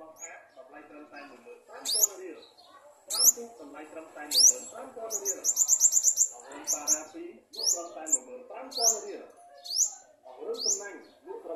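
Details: Garden sunbird, apparently feeding its young, gives thin, high, sharply rising whistled notes every second or so, with one quick sizzling trill midway; low murmuring voices run underneath.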